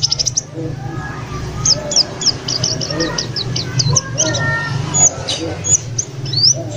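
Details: ['White-eye, three days in a new home after being bought from a trader, singing busily; a rapid series of thin high chirps and slurred whistles, over a low background hum.']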